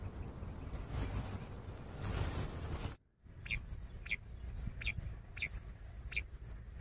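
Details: In a summer meadow, a common quail gives short, clipped notes in quick groups over a steady high insect-like hiss, with low rumbling wind noise throughout; common quail.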